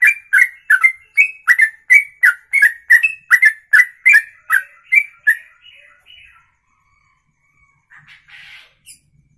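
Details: Songbird's ropelan, a long song in one breath: about five seconds of rapid, evenly spaced whistled chirps that then soften into thin trailing notes and fade, ending with quiet rustling.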